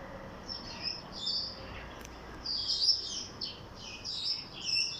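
Cockatiel chirps in quick, bright bursts, high and slightly harsh, over soft background hiss.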